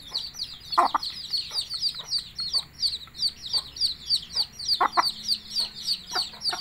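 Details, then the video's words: Hen calling chicks to eat. Brief low clucks come near the start and again near the end, with several in quick succession. Loud, rapid, rhythmic peeping of many chicks dominates. "Bahasa Ayam Memanggil Anaknya Makan"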